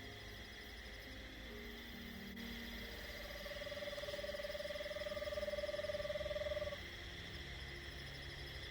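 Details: Played recording of an Eastern Screech-Owl during a full-moon night walk in woods in early October: a steady, mid-pitched, whinnying trill on one level note lasting about four seconds, with insects droning constantly behind.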